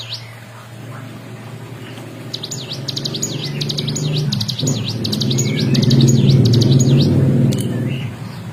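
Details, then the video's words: Bar-winged prinia singing in lively, nonstop 'ngebren' style, kept as a master recording for training songbirds: rapid high zigzag notes start after a low rumbling, rising background noise and steady hum. "CIGUN GACOR FULL NGEBREN"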